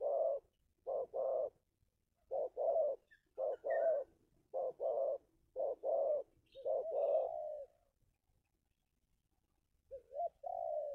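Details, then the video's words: Local spotted dove in the 'kuk 2' style, used as a lure for wild birds: soft, mellow coos in short clusters of two or three notes, repeated roughly every second, with a pause before a final drawn-out phrase. "SUARA TEKUKUR LOKAL KUK 2"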